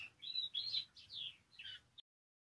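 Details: Canary singing to stimulate other canaries: a brief run of high chirps and slurred whistles, then silence.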